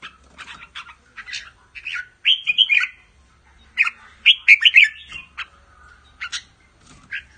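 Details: Red-whiskered bulbul of the Pa La-U line, a caged Thai songbird, delivering doubled song phrases: clear warbled whistles in two louder bursts, separated by short chirps and quiet gaps.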